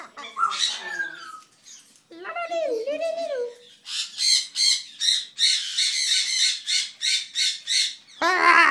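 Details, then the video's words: Male pet cockatoo mimicking the drawn-out "wazzup" greeting, given a little human prompting to get going: strained harmonic wavering notes, then a run of harsh, buzzy squawk bursts repeated roughly twice a second toward the end. "Cockatoo doing wazzupp"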